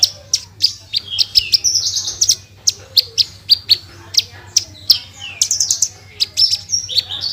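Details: Javan bushlark (branjangan) singing a tutor recording in full tembakan style: rapid sharp high clicks and chirps in irregular bursts, mixed with short slurred whistles, steady low hum in the background.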